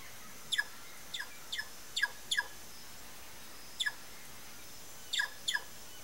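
Sayaca Tanager giving short, sharp descending call notes, often in quick pairs, spaced irregularly over a few seconds against a quiet background.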